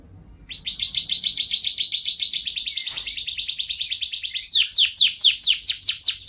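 A canary sings fast, bright trills: a rapid chattering run, then a steady high roll, ending in a string of quick downward-sweeping whistles.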